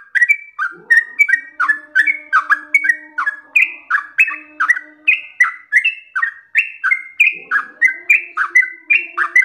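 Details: Trucukan singing gacor, losdol without break: quick liquid whistles tumbling up and down in rapid succession, a continuous chattering flow of bright notes over a quiet background drone.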